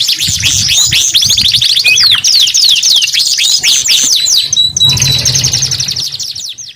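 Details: Canary singing loudly and continuously, a fast stream of high sweeping whistles and trills, rising and falling in rapid rolling phrases with a brief pause before a steadier trilled passage.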